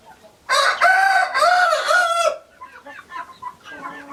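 A rooster gives one loud, hoarse crow in several arching syllables lasting about two seconds, followed by soft, quick clucking from other chickens.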